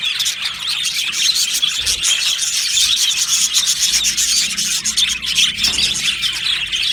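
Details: Australian budgies in an aviary colony, recorded 15 July 2025: a dense, continuous wash of high, scratchy chirps and chatter from many birds at once, with no pauses and no other clear sounds.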